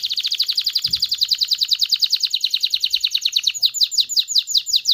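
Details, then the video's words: Canary singing to spur males and females toward mating: a fast, steady trill of high descending notes, around ten per second, slowing slightly near the end. "تغريد كناري لتدريب ذكور واناث الكناري على التزاوج. صوت كناري لتزوج .. Canary singing"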